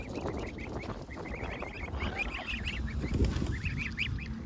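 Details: Geese in the UK, protecting their goslings while being fed, with swans and ducks nearby, give rapid runs of short nasal honks, several birds calling over one another, above a steady low background rumble.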